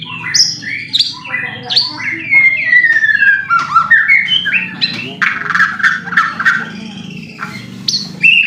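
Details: Kept white-rumped shama singing a long provocation song: a fast medley of chirps, sliding whistles and dense chattering phrases, with a steady low hum in the background.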